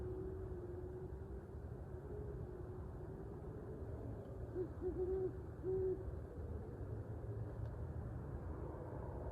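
An owl gives low, steady hoots, a few short notes close together midway through, over a constant low rumble like distant traffic.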